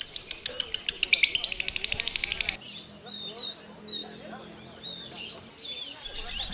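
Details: A lovebird gives ngekek chattering: dense, fast, shrill chirps quickening into a tight trill for a couple of seconds, followed by quieter scattered squeaks.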